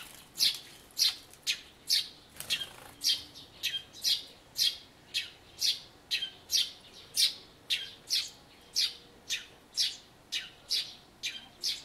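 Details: Eurasian tree sparrow chirping in spring, 2 April 2013, near a bird-table birdbath where a white-eye bathes, recorded on an Everio camcorder; loud, sharp, high chirps repeated about every half second in a steady series, with a brief splash-like rustle early on.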